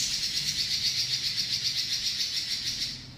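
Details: Robin performing a long rolling song known as ngeroll panjang, an unbroken high, buzzy rattle that pulses roughly four times a second across the whole stretch, over a faint low hum.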